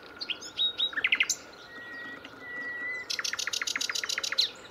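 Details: Nightingale song from a live bird: a few soft high notes and a quick cluster of strokes, a thin drawn-out whistle, then a fast string of about a dozen sharp, evenly repeated notes.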